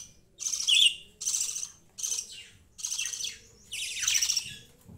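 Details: Baby budgerigars kept together with a pet rabbit indoors: five harsh, high chattering bursts about a second apart, each a scratchy squawk-chirp with a quiet room behind.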